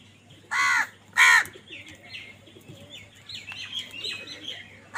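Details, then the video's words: Two loud, harsh arched caws in quick succession from crows fighting for food, then a busy chorus of high chirping small birds and a second caw beginning at the very end. "কাকের ডাক Crow Sound Crow ki Awaz Loudly | Crow bird Fight for Food"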